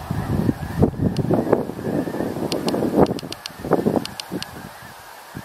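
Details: Huge flock of snow geese on 17 November, many birds honking at once in a dense, overlapping chorus of nasal calls, with sharp clicks scattered through the recording.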